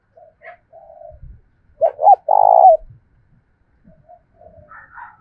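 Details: Spotted dove giving a fight-provoking coo of the thổ voice style, used to stir wild doves and decoy birds: a few faint notes, then two short swelling notes followed by one long, steady, mid-pitched coo.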